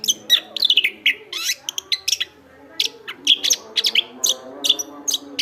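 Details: Chestnut-backed thrush delivering continuous vigorous song for tutoring cage birds: bursts of sharp high notes and short warbles, a quieter gap near two seconds, then renewed rapid whistles, with a soft low hum behind.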